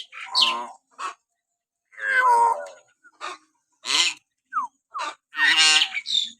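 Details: Common hill myna calling with natural whistles, recorded to stir pet mynas into sound: a string of loud, hoarse, nasal shrieks and croaks, interspersed with two brief falling whistled notes, irregularly spaced about once a second.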